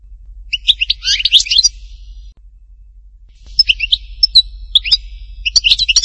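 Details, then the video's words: European goldfinch singing in the Htatba style from Tipaza: a bright, rapid twittering phrase of tinkling notes, a pause of nearly two seconds, then a second liquid jingling burst with a few clear whistled notes. "chant chardonneret htatba tipaza حسون حطاطبة"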